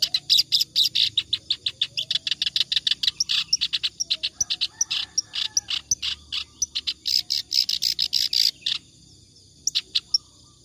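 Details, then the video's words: Continuous clamorous reed warbler song, used to teach other cage birds. A long run of fast, scratchy chattered notes lasts about nine seconds, then a pause and a few final notes. "BURUNG KERAK BASI NGACOR COCOK BUAT MASTERAN"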